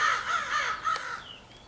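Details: Crows in a big gathering, possibly pairing up, April 2015: a single drawn-out harsh caw that wavers and trails off over a second and a half.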